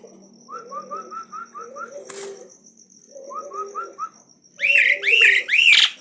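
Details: Fast series of short arched whistles, repeated in bursts, from a bold Asian pied starling singing nonstop, then a run of loud, grating rising notes and a brief fluttering sound.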